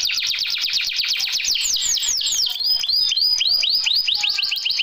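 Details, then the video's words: Canary song meant to make a lazy canary start singing: quick falling whistles slowing into spaced, clear swoops and short rising-falling notes, all bright and high-pitched. "BURUNG KENARI MALAS BUNYI KASIH ISIAN INI LANGSUNG NYAMBAR"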